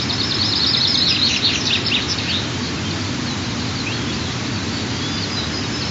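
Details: High, thin cheeping from young white-tailed eagles on their nest at the third morning mealtime, 15 June 2023, chicks 23 and 25 days old; a quick run of chirps early on, then fainter notes under constant rushing background noise.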